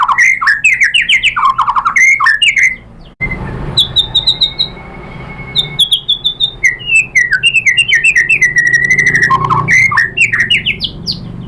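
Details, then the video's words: Singing white-rumped shama, used as a provoking song for other birds: dense bursts of varied whistles and chips, a brief break with a noisy background and steady tones, then the energetic phrases resume. "Bikin GACOR ‼️ MURAI BATU jadi EMOSI NYAUT BONGKAR ISIAN ¦ PANCINGAN MURAI ¦ SHAMA BIRD"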